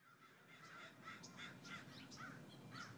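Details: Crows giving a run of harsh, hoarse calls, about two per second and fairly even in loudness over three seconds, against a low steady background rumble.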